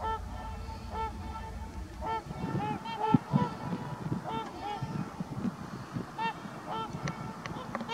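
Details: Several trumpeter swans in Heber Springs, Arkansas, trading brassy honks roughly once per second, with heavier low rumbling and a few knocking sounds in the middle.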